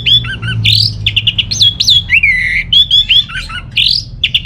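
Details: Orange-headed thrush from Singaraja, northern Bali, singing to stir birds that are idle at home: rich continuous warbling of rising and falling whistles, varied slurred phrases delivered rapidly and loudly.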